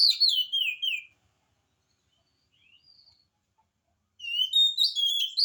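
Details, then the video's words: Oriental magpie-robin in full song, used as a lure to get lazy-singing magpie-robins to answer: loud whistled phrases sliding down, a silence of about three seconds with faint notes, then a rich burst of varied whistles. "kacer gacor, cocok untuk pancingan kacer malas bunyi, jamin 1000% langsung nyaut"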